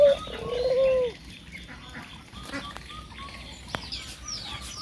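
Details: Outdoors in early morning, around 6 a.m., a dove gives one low, drawn-out coo lasting about a second, followed by faint high chirps from other birds over steady background hiss.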